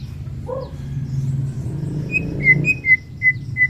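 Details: White-rumped shama singing in the morning to raise fighting spirit: a low warbled note, then a series of bright, evenly repeated whistled notes at steady pitch, with a low hum behind.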